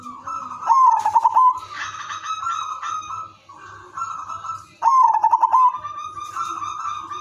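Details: Melodious udanmas silver zebra dove song used as a lure to set other doves singing. Two loud, quickly pulsed cooing bursts, about four seconds apart, stand out over steady, lower cooing from several other doves.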